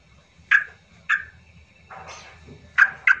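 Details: Yellow-vented bulbul, called trucuk, in an emotional trucukan lure style meant to make silent birds sing: a few short, sharp chirped notes spaced about half a second apart, with a softer burst in the middle.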